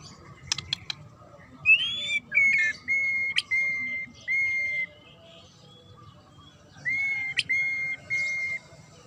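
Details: Murai (magpie-robin) with a sharp song meant to provoke other birds into answering: long level whistles near one pitch, some rising at the start, given in bursts with pauses, with a few high clicks early on.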